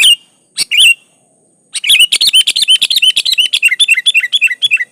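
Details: Kutilang, the sooty-headed bulbul, in energetic gacor song: a few separate chirps, then a fast, continuous series of bright, down-slurred notes repeated several times a second.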